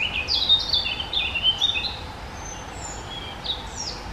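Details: Common Firecrest, Europe's smallest bird at about 5 g; a few very high, thin short notes near the start, then sparse faint high calls over steady background noise.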